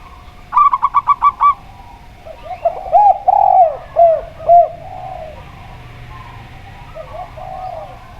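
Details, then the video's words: Local zebra dove singing alongside a spotted dove. It opens with a rapid staccato burst of about six short, ringing notes, then a string of lower, bowed, mellow coos that fade out. "Perkutut Lokal Suara Plong"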